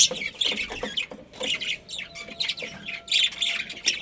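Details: Budgies in a colony squawking and chirping, with rough, high notes overlapping in uneven bursts and a faint steady tone in the background.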